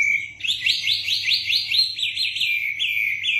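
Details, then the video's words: Kept wambi songbird singing a rapid series of about ten rising, whistled notes in steady rhythm, each a clear upward slur, ending in softer chirps over a low background hum. "Burung wambi gacor"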